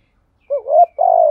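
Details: Brief spotted dove stimulating coo, used to provoke cooing: a quick low note rising into a smooth coo, then a steadier, slightly buzzy coo that runs to the end.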